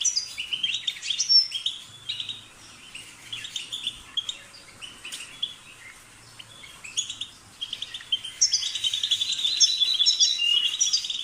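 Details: Goldfinch twittering in bursts, scattered chirps early, a quieter patch in the middle, then a denser, louder stretch of tinkling, trilled notes toward the end.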